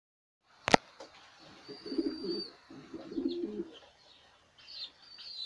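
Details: Kara Güllü Filo domestic pigeon, filmed while looking at young birds: a sharp knock, then two bursts of low, rolling coos. A faint high whine sounds in the background.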